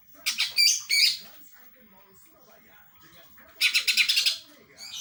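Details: Greater green leafbird singing in a sparrow-like style: two loud, dense bursts of rapid chirpy, buzzy notes, one early and one late in the clip, separated by a quiet stretch with faint low murmuring.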